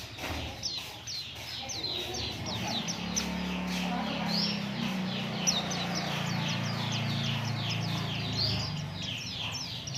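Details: Oriental white-eye song meant to prompt other birds to sing: rapid run of thin, high downslurred chirps repeated steadily, with a low droning hum and faint voices underneath.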